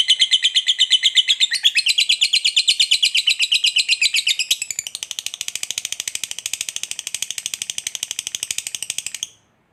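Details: A lovebird's extended 'ngekek panjang' chattering, meant to trigger singing in other lovebirds: rapid rhythmic scratchy notes running about nine seconds, rising to a higher, quieter register partway, then stopping abruptly.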